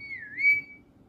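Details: Pet parrot whistling indoors: one clear, pure whistled note that dips slightly, then rises and holds steady for nearly a second before fading, with a faint low room hum beneath.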